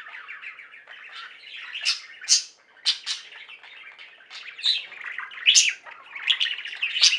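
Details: Captive budgerigars in a singing flock, kept as pets, giving continuous warbled chatter with rapid chirps, scratchy buzzes and occasional sharp high squeaks throughout.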